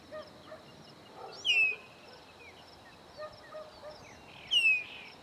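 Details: Visiting chopi blackbirds, three of them, at a farm in Bahia's Caatinga, Brazil: a pair of bright, falling whistles about three seconds apart, with quieter short calls and chatter filling the gap.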